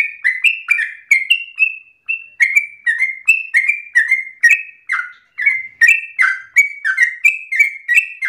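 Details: Yellow-vented bulbul, a singing bird used as a model for other birds to copy, giving a loud, long-breathed song: rapid chains of short whistled notes, each sliding down then jumping up again, with brief pauses near two and five seconds.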